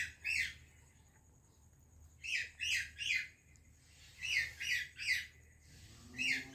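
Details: One parrot from India greets another from Pakistan with scratchy squawks: a lone call, then two triplets spaced about two seconds apart, a final single squawk, and a faint low tone at the end.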